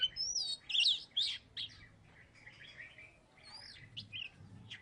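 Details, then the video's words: A Salatiga Oriental magpie-robin and former third-place champion sings briskly, with loud high whistled notes and quick chirps that run into softer, scratchy warbling. "Burung kacer salatiga gacor"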